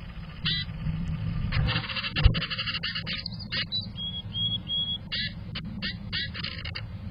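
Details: Male Black-capped Chickadee at a nest box in June sings an unusual fee-bee song to his ten nestlings, telling them it is safe to leave the nest: a short row of thin, pure whistles, half-buried under loud knocking, scraping and rustling.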